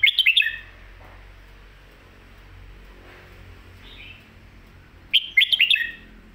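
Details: Red-whiskered bulbul singing a popular song style called Phat Kuai Tiao, or Mae Bot. A quick burst of bright, warbled notes opens, then a near-silent pause with a soft single note, then a second matching warbled phrase.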